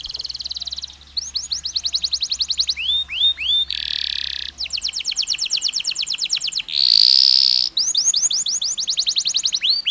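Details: Long canary song with pauses, played to stimulate other canaries: rapid high trills of rising notes in fast series, broken by loud buzzy held tones, with a low steady hum underneath for the first half.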